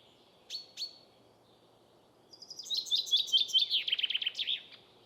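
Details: Two short, sharp call notes come from a common chaffinch, the forest-keeper of Estonian folk speech, which sings from April to early July. After a pause it gives a quick chain of bright notes that tumbles into a descending flourish.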